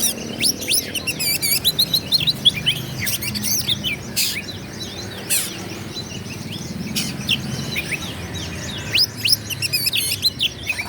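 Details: Oriental magpie-robin singing hard to provoke a rival: bursts of sharp rising whistles, chattering trills and rattles with brief breaks, a few clicks and a faint low rumble below.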